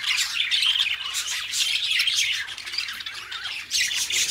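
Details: Two companion budgerigars keep up a scratchy, twittering warble, with short squawks and a few clear whistled notes early on, lively and continuous.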